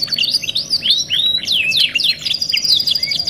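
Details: Kenari song used as masteran: a bright high trill, then clear slurred whistles arching up and down, followed by quick downward-sliding notes, all over a faint steady hum.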